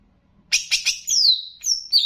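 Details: Greater green leafbird of Banyuwangi type in a master recording to excite other leafbirds: three quick harsh chirps followed by long, clear, falling whistles.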